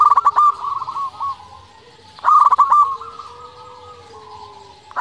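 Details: Local zebra dove, a bird in full song used to lure and stimulate other doves: two loud rolling coo phrases of quick stuttered notes, each easing into long soft level cooing.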